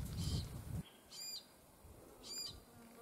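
Glossy Black Cockatoo giving two short, wheezy, harmonic-rich calls about a second apart, after a brief burst of low wind rumble.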